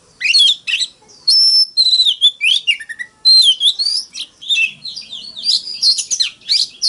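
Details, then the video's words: Singing and dancing Oriental magpie-robin giving decoy fighting song meant to provoke morning song: loud, rapid sequence of pure whistles, sweeping slurs and harsh chips, phrases packed tightly with barely any gaps. "Choè than hót múa . Tiếng than mồi hót đấu .kích choè than hót sáng"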